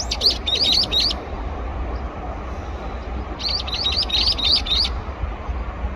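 Brown-eared bulbul giving two bursts of shrill, rising squeaky notes in quick succession, separated by a short pause, over a low background rumble.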